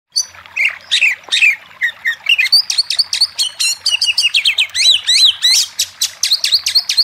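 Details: Oriental magpie-robin song used as a lure to stir a quiet bird into singing: varied rapid phrases of high whistles, upslurred and downslurred notes and sharp chips, growing denser and more rhythmic toward the end.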